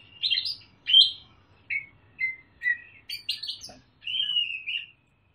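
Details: Sumatran leafbird, a young caged bird, singing clear mimicked phrases of parrot and bulbul: a varied string of whistled, chirping and slurred notes with short gaps, ending in a drawn-out whistle.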